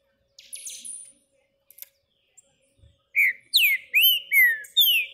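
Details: A Green-winged Saltator, held in the hand, sings a quick run of five loud, clear, down-slurred whistles, about two or three per second, after some faint high chirps.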